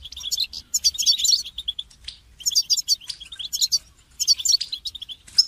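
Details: Goldfinch singing for training purposes, delivering three dense bursts of chattering, twittered notes with buzzy and trilled elements, with short silences between them.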